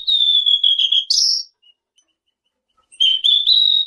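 A clear, high whistle held for about a second and a half with a slight warble and a brief upward flick, then silence before it resumes.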